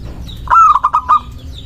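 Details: One phrase from a local zebra dove, played to attract doves and provoke rivals: rapid broken cooing notes, soft and rounded, fading into a brief trailing coo, with thin high bird chirps in the background.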